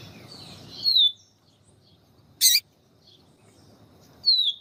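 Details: Yellow-bellied seedeater singing high, thin, downslurred whistles, with a female calling to excite the male; a sharp crackling burst falls between two whistled phrases, over a quiet background.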